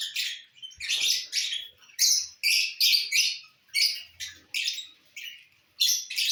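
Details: Lovebirds busy eating corn, recorded 18 December 2022; sharp, rasping high chirps repeated roughly every half second in uneven bursts, each starting loud and fading.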